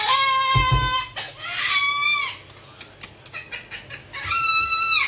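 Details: Three rescued pet cockatoos at dinner time; long, loud, harmonically rich screeches with a flat, nasal tone, two in the first half and one more at the end, with clattering and small noises between.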